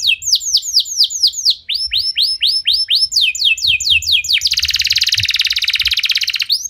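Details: Rapid-fire canary song used as a lure for other canaries. Loud upward-sweeping whistled notes repeat in quick runs, then merge into a dense, fast buzzy roll held for about two seconds.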